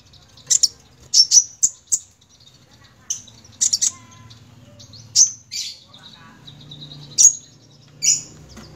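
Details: Sunbird called kolibri ninja, singing energetically: thin, piercing high notes given singly and in quick pairs or triplets with short gaps, with a soft low hum in the background.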